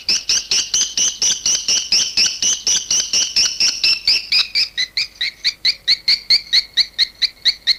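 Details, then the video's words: Swiftlet, 18 August 2021: a continuous rhythmic stream of ringing chirps, about two per second. The notes drop slightly in pitch and become crisper and more separated after a few seconds. "suara walet"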